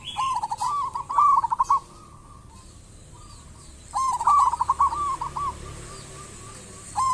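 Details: Local zebra dove lure song: two long trilled cooing runs of rapid pulsed notes, each rising to a rolling finish, separated by a quiet gap with faint distant coos, and a final burst at the end.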